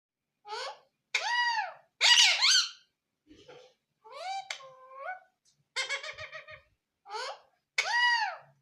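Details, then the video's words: A pet parrot talking indoors, producing a string of short speech-like phrases with squeaky, nasal, wavering tones and clear pauses between each burst of mimicry. "mithu Talking"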